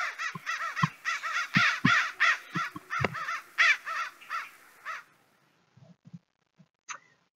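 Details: An American crow gives a fast run of harsh, hoarse caws, nearly three a second for five seconds; faint low thumps and a brief squeak follow.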